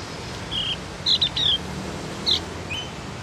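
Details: Javan White-eye (opior jawa, cucak gentong) learning to sing, giving a few scattered high, thin chirps and short squeaky notes with gaps between them over a steady low background hum.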